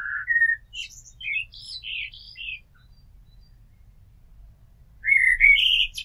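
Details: Singing blackbird near a house: a low fluted opening note, then softer high twittering, a pause of two seconds, and a new rich whistled phrase with squeaky overtones.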